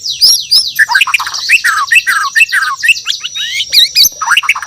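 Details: White-rumped shama from Borneo singing in the morning: a dense, varied run of whistled and chattering phrases, many sharply rising or falling notes following each other quickly with barely a pause.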